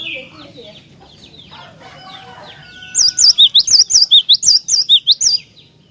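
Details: Cinereous tit song used to provoke other tits into singing: after faint background chirps, a loud fast run of about a dozen high, sharp, zigzagging two-part notes pours out in quick succession for nearly three seconds.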